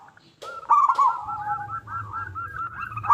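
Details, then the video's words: Loud local zebra dove song used as a lure to make other zebra doves call. After a short rise, a run of quick, rolling coo notes follows at a level mid pitch over a low background rumble. "Perkutut Lokal Gacor Suara Besar Pancingan Burung Perkutut Agar Cepat Bunyi"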